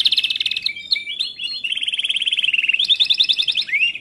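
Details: Timbrado canary training song, continuous and high: a buzzy roll, scattered short whistles, then a long rapid trill of evenly repeated notes, a faster higher roll, and a final rising slurred whistle.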